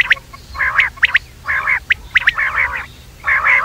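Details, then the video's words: Quail at night: sharp single notes interspersed with short grating chattering bursts, closely spaced, over a faint low hum. "batair rat wali awaz"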